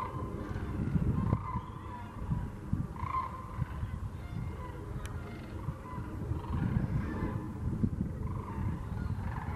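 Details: Cranes, sandhill or whooping, at Wheeler National Wildlife Refuge, Alabama, in December: rolling bugled calls rise from a flock in short bursts around one, three and seven seconds, set against heavy low wind rumble.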